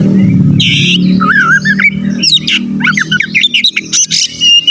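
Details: Oriental magpie-robin (kacer) in full song, used as a lure to rouse rival magpie-robins: harsh buzzy squawk bursts, then a wavering whistle and quick varied rising and falling notes over a steady low hum.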